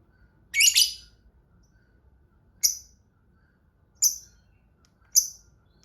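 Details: Lovebird opening with a scratchy cluster of shrill chirps, followed by three single sharp high notes spaced more than a second apart.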